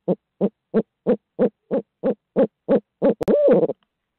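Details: Barred owl of Midtown Tulsa: ten rapid, deep hoots at about three per second, then a sharp click and a long, wavering, drawn-out hoo-aww that rises and falls.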